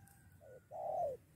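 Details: A lured spotted dove ready to fight a decoy bird during trapping. It gives a soft short coo, then a longer, louder coo that slides slightly downward, against faint low background noise.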